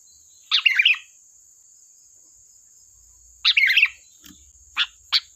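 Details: Sooty-headed bulbul singing energetically as a lure for bulbuls: two bubbling phrases about three seconds apart, then three short sharp chips, over a faint high steady whine.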